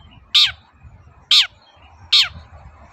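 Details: Long-tailed shrike in 'toet-toet' song, played to get reluctant shrikes singing again; three strong grating notes sliding downward, about 0.8 seconds apart, over a steady low background rumble.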